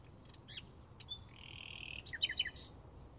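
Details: Bluethroat recorded in May 2016: a scattered run of high, thin notes with a short dipping whistle, a steady level whistled tone held for about half a second, then a quick cluster of sharp metallic chips.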